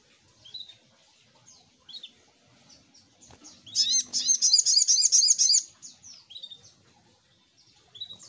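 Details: Little spiderhunter lure song: soft high chirps and thin whistles build into a loud two-second burst of rapid, sharp repeated notes before fading back to scattered quiet tweets.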